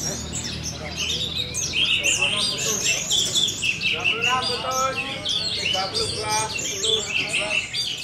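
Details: A young orange-headed thrush, four months old, delivers rapid varied song: bright whistled slurs, trills and chattering notes packed tightly together, with a faint voice and background hum.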